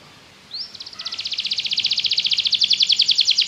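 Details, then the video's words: Belgian canary singing to coax other canaries into song: one short upward slur, then a rapid pulsed trill that builds steadily in volume. "Canário belga seduz todos os canários para cantar - treinamento de canário"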